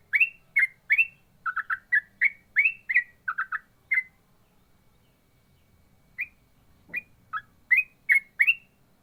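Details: Yellow-vented bulbul (trucukan) singing in the rapid ropel style: quick bursts of short, sharp whistled notes rising and dipping, delivered about three per second for four seconds, a pause, then a fresh run of similar notes.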